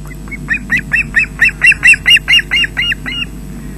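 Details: Osprey calling at the Loch Garten nest in Scotland, 20 June 2012 at 13:24, as fish is delivered to chicks, caught by a nest webcam: a steady string of about thirteen loud, shrill whistled yelps, swelling then fading, over faint background rumble.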